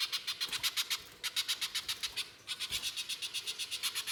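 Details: Lure recording of a little spiderhunter singing loudly in harsh 'nembak kasar' style to make spiderhunters call: quick rasping notes about four per second, in bursts with a short dip between them.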